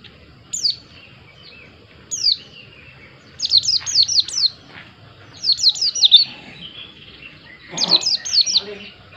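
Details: White-eye singing: a lively series of high, steeply descending whistled notes, first singly, then in quick bursts of three or four, repeated every couple of seconds over a quiet background.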